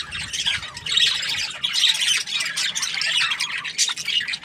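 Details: Cheerful budgie chatter of fast, scratchy, warbling chirps running continuously, slightly softer at the start, with a sharper squeak near the end.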